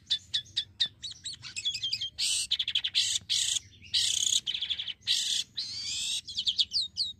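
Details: Black-winged myna singing vigorously as a lure to stimulate other mynas: quick sharp clicks and squeaky whistles, then long loud harsh rasping bursts alternating with rapid chatter, ending in rising whistled notes. A low hum lies underneath.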